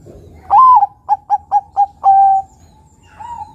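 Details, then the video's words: A single full phrase from a crossbred Bangkok-local perkutut, or zebra dove, singing as a lure: a bending opening coo, four short clipped notes, and a long steady closing note, with a faint coo trailing after. "Perkutut bangkok gacor suara nutut besar panjang penarik bunyi perkutut bangkok lokal crossing"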